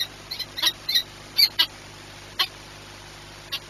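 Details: At Orlen Płock on 22 March 2021 at 14:39, a peregrine falcon gives a rapid run of high, scratchy squeaks, five or six close together, followed by two more spaced notes, with a low steady hum beneath.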